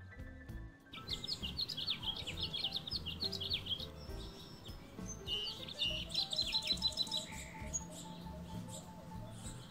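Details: Anna's hummingbird perched alone on an avocado branch in a backyard garden, preening and fluffing its feathers, gives rapid bursts of thin, high, squeaky chips in quick runs, with a soft musical backing underneath.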